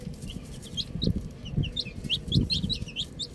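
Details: Chicks playing with a ball, bright high peeps coming faster toward the end, each a brief downward slur, with low knocking sounds of movement between them.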